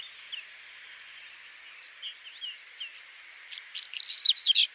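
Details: {'caption': 'Saxicola rubetra: a few soft, scattered whistled notes build into a loud closing phrase of crackly clicks and squeaky, rising-and-falling whistles.'}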